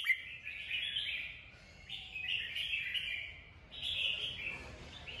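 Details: Red-whiskered bulbul stimulated to sing, delivering sustained buzzy warbling phrases in three runs over a steady background hiss.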